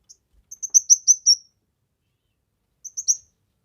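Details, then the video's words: Kemade in vigorous song, recorded as a tutor and lure; one run of about six rapid high chirps ending in a brief trill, a long pause, then three more chirps. "Burung Kemade GACOR...Cocok untuk MASTERAN, PIKAT DAN PANCINGAN"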